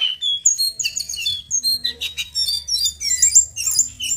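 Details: Male brown jongkangan practising its rolling, twittering and fluting song: dense, very high chirps and short whistles in quick, irregular clusters over a faint low hum.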